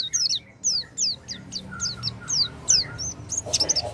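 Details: Oriental white-eye lure song for a white-eye gone quiet: rapid, repeated high downslurred chirps in a steady run, turning to a busier jumble of notes at the end over low background noise.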